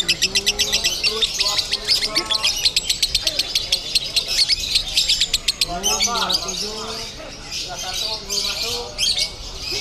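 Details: Competition lovebird in Bandung singing konslet: rapid machine-gun trills of high clicks broken into bursts, with men talking in the background and a softer chatter at the end.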